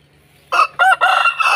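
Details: A brief, loud Aseel rooster crow with rough, broken syllables, caught partway through over a faint steady hum.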